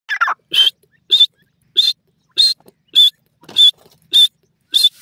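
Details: Grey francolin, called dakhni teetar, giving a shrill call: a brief lower, rough note opens, then eight loud, high, piercing bursts follow at a steady pace, about one every 0.6 seconds, in otherwise quiet surroundings.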